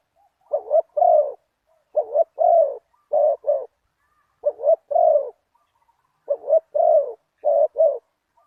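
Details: Spotted dove cooing in a decoy luring session for a target bird, noted as having a big voice with one kuk. It gives a long series of low, hollow coo phrases built from clipped doublets and drawn-out notes. The delivery is steady and unhurried.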